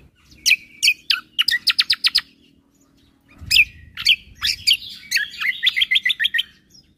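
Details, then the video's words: Greater green leafbird (cucak kombo) singing gacor with tembakan-style fill, recorded as a teaching source for caged birds. Two bursts of quick high notes: slurred whistles, then fast staccato chip runs, separated by a short pause. "Masteran Burung Full Isian Tembakan - Cucak Kombo Gacor Untuk Masteran Burung"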